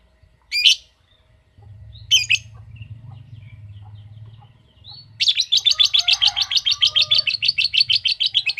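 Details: Lovebird giving its long 'ngekek' song: two short sharp chirps, a pause, then a fast, steady trill of buzzy pulses, roughly seven per second, that runs to the end.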